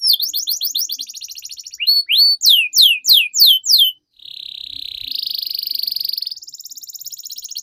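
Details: Canary training song for young birds: rapid doubled chirps, a row of sharp downslurred whistles repeated about six times, then a long buzzy rolling trill stepping up in pitch.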